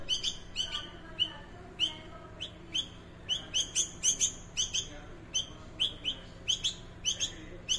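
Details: A hungry bulbul being fed gives rapid, high, sharp chirps in quick bursts, some paired or tripled, repeated every half second or so, over a faint steady hum.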